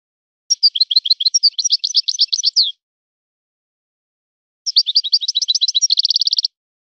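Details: European goldfinch song in a named local style. Two long bursts of bright twittering and slurred notes; the second ends in a fast, even, ringing trill. The background is silent.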